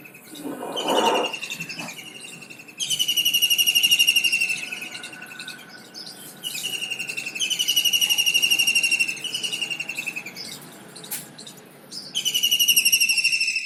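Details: Kingfisher, one of India's common diving birds, repeating loud, high, rapidly pulsed rattling trills in bursts of one to two seconds, with a short low thump near the start and brief quieter gaps between bursts.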